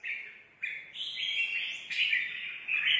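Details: Wild-caught red-whiskered bulbul, fresh from the forest, in competitive song: a continuous run of bright whistled notes stepping up and down, with sharp rising and falling slurs, over faint background hiss.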